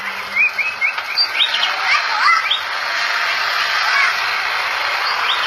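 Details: Very tame Javan pied starling in full song: a quick run of varied chirped and slurred whistled notes in the first two seconds, then fading into a loud steady hiss.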